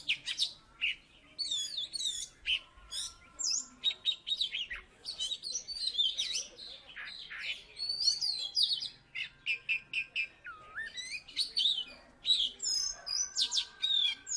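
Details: Salatiga-type Oriental magpie-robin, a one-time third-place champion, in full song: dense bursts of high twittering, whistled glides and buzzy notes, phrases repeated in quick succession, one lower looping whistle near the middle.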